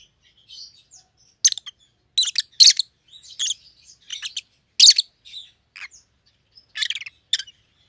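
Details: Pet rosy-faced lovebirds, white-headed pallid opaline and green opaline, giving clustered loud rasping chirps in short groups separated by soft quiet twitters.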